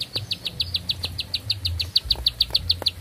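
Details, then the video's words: Long unbroken song of a bar-winged prinia, high clipped notes repeated rapidly and evenly with faint clicks between them and a low background rumble. "Nafas Panjang, Nembak Satu Lagu, Ciblek Sawah Gacor"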